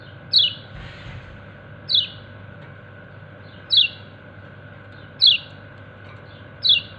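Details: Yellow white-eye, known locally as kecial kuning, calling its companions: short, sharp, high chirps sliding downward, given singly about every one and a half seconds, over a steady low hum.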